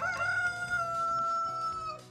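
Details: Rooster crowing again while a woman talks; one long, steady harmonic note held for about two seconds at an even pitch, then fading, with faint background hum.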